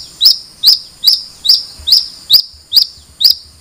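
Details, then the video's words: Long-tailed shrike giving a sharp, high chirp repeated steadily about twice a second, each note a brief rising-falling whistle with a faint ringing tail; quiet background. "Suara Burung Cendet"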